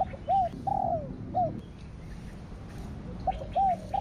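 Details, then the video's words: Spotted dove cooing in the style called thổ đặc thúc kích bổi, or thổ sấm: short arched notes, a longer falling coo, then a pause before two more arched coos, over a low background rumble. "Cu gáy THỔ ĐẶC THÚC Kích Bổi . ( THỔ SẤM )"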